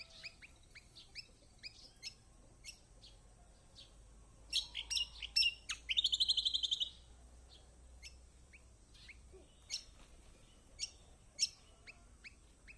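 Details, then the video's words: Kecial kombok song used as a lure for birds that will not sing: many quick high chirps, a dense cluster of loud sharp notes, then a fast buzzy trill of even repeated notes, then more scattered chirps. "Pancingan buat kecial kombok malas bunyi auto gacor!!"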